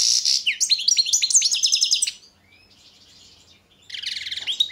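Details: Competition song of a European goldfinch, Balkan subspecies Carduelis carduelis balcanica, recorded for a 2022 world championship: two seconds of fast liquid twittering notes, a soft buzzy gap, then a dense chattering burst.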